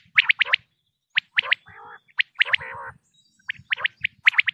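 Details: Pakistani common quail: quick triplets of bright, clipped, high notes alternating with drawn-out nasal, wavering lower notes, over faint low tapping sounds.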